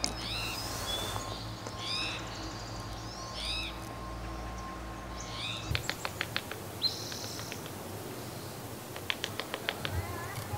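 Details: In spring, a couple of Black-throated Gray Warblers in dense cedars 20–30 m from a campsite on Vancouver Island give sharp, high chip notes in scattered bursts, some doubled, with softer twittering phrases early on over a low hum.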